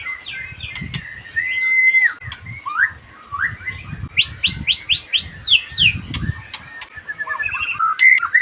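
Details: White-rumped shama singing a varied, rich medley of whistles, sharp ascending sweeps in a rapid series, and trilled phrases, with soft low knocking noises in the background.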